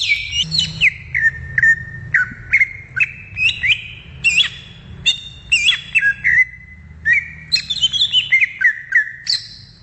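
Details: Wild greater green leafbird singing in its natural habitat: clear whistled notes with rapid downward slurs, repeated in short phrases about twice a second, some harsher buzzy notes mixed in, over a low background hum.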